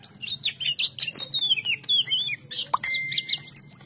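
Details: Kacer, the Oriental magpie-robin, in full energetic song: dense stream of rich whistles, trills and sharp chirps with few pauses, one long steady whistled note in the second half, faint low hum in the background.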